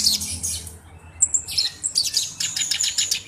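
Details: Black-browed reed warbler kept as a tutor bird, giving high, scratchy chattering phrases with thin sharp squeaks and rapid ticking bursts, with a short pause near the middle.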